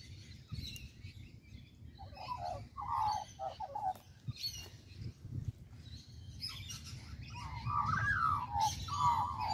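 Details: Australian magpie calling from a tree in Kings Park, Perth, Western Australia: two bursts of gurgling, flute-like warbling, the second swooping and descending, separated by quieter chirps, with constant low-pitched ambient noise.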